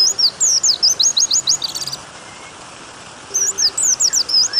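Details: White-eye (pleci) tutoring song, a long 'nembak' singing style, recorded with added water sound to prompt caged birds to sing: rapid high whistled notes, slurred and looping, in two bursts separated by a quiet gap of about one second.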